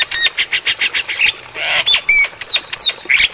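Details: Javan myna tutor song for other mynas to copy: a fast run of harsh rasping bursts, about eight in a second, followed by clear rising and falling whistles and squeaky notes.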